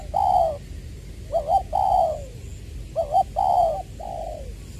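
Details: Spotted dove used as a decoy, Tra Vinh, Long Duc, Vietnam, 'Tieu' voice style, 22 February 2021: two loud phrases, each a doubled short note, a broad coo and a trailing downward coo, over faint low noise.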